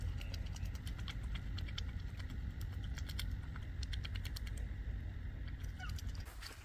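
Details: A pair of mute swans feeding all day at RSPB Ham Wall on the Somerset Levels make rapid, irregular wet clicks and dabbling slurps at the water's surface over a steady low rumble of wind.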